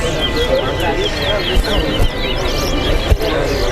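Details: Two Chestnut-bellied seed finches (towa towa) sing against each other in a singing competition: rapid, sweet warbled phrases of twisting high whistles, over a steady murmur of people talking and counting, with low rumbling noise.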